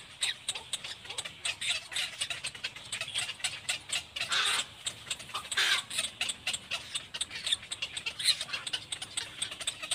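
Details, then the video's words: A Little black cormorant mother beside her baby, heard as a long stream of coarse, clicking, rasping notes delivered in fast uneven trains, with two louder noisy outbursts midway. "Mommy and baby Little black cormorant"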